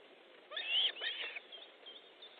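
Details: Osprey at a nest in Estonia on 13 July 2014, 19:30, while fish is delivered; one piercing whistled note followed by a rougher, slightly harsh call, then quieter faint notes trailing off.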